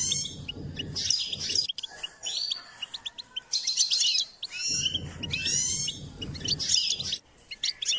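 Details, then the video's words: Goldfinch in a singing-training session repeats lively, high twittering phrases full of buzzy trills and quick chips, separated by brief pauses, with low rumbling noise underneath. "Step by step enhancing the goldfinch’s singing"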